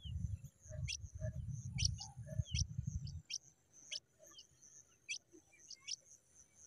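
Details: Pipit chicks giving short, sharp, very high chirps roughly every half second to second, over a steady high thin hiss and a low rumbling noise during the first half.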